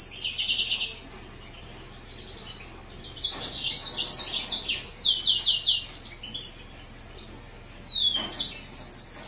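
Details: Green singer finch singing in bursts of high twittering notes and fast buzzy trills, broken by short quiet gaps, ending with a falling whistle followed by more rapid chirping; faint low hum underneath.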